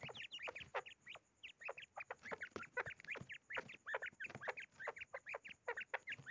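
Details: A hand-tamed common quail in an angry mood gives a fast, nonstop chatter of short, harsh, rising chirps, several each second and often overlapping, with a soft background hiss.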